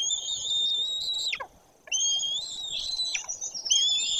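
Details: At a white-tailed eagle nest in Bory Tucholskie during a parent's arrival, two long, high, wavering whistles, each ending in a steep downward drop, over faint background hiss.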